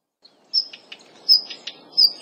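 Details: Daurian redstart giving sharp, high-pitched drawn-out whistles, each followed by quick dry tacking clicks, three whistles in just over two seconds.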